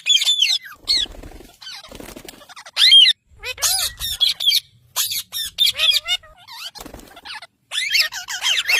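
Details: Talking pet parrots from a parrot family compilation, chattering in dense harsh squawks and bent chirps nearly without pause, with a few softer voice-like murmurs underneath.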